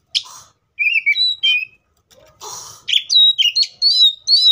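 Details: In the wild, an Oriental magpie-robin alternates rich whistled notes with a rasping burst, then finishes with a rapid series of rising and falling whistles.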